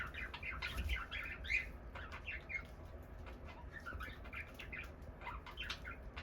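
Cockatiel giving short chirps and squawky notes, with wing flaps and a steady low rumble.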